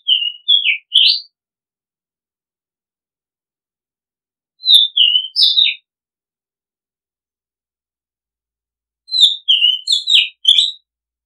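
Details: Oriental magpie-robin repeating the same short whistled phrase three times, about every four and a half seconds, each a string of four or five clear sliding notes, the last phrase slightly fuller; no other sounds.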